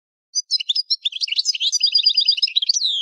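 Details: Goldfinch song: a quick run of bright tinkling chirps flowing into a rapid repeated trill, ending in a drawn-out descending buzzy note; no other sounds audible.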